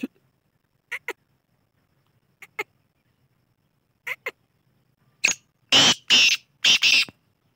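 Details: Black francolin producing pairs of soft ticking notes at spaced intervals, building into a loud harsh phrase of one short and three long rasping, grating notes at the end; no other sounds.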